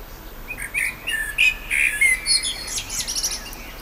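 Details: A blackbird sings a sequence of rich, flute-like whistles, each note slurred and a little different, ending in a rapid, thin, high-pitched twittering flourish. The recording is close and clear.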